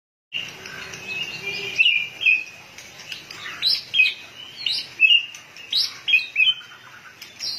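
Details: White-rumped shama in heated, fired-up form, flicking its tail rapidly: after a brief silence, a run of varied clear whistled phrases and sharp upslurred notes, loud bursts arriving roughly every half second with little background noise.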